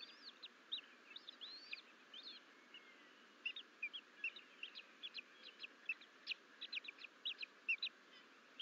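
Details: Bald eagle eaglets, twins left alone in the nest, exploring and crawling out of the nest bowl on 14 April 2024 at Fort St Vrain, Colorado. They give high, thin chittering notes and short rising whistles, fast and irregular, over a steady hiss.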